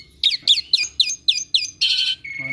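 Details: Pet Asian pied starling, a skilled mimic of other birds, repeats six sharp downslurred chirps about a quarter-second apart, then gives a harsh buzzy rasp and a steady whistled tone.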